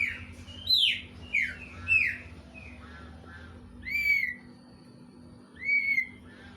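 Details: Greater green leafbird song copying a kingfisher: rapid downslurred whistles in the first two seconds, a pause, then two longer rising-and-level whistles spaced well apart.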